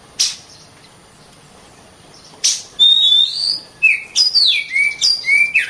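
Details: Oriental magpie-robin song meant as masteran tutoring for other birds: two sharp knocks or clatters open, then a run of sweet whistled notes, some rising and some dropping, quickening toward the end.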